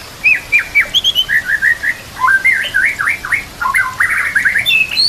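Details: White-rumped shama master recording with mimicry fill-ins, over nature sounds and trickling water: a string of clear short whistles, then zigzag notes jumping up and down, ending in a fast buzzy trill and a final rising whistle.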